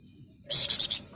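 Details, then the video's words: Flamboyan bird in ngebren rapat nyerecet song, a dense, shrill chattering style: one short phrase of four loud, harsh, high buzzy notes delivered rapidly after a quiet start. "Burung Flamboyan Ngebren Rapat Nyerecet"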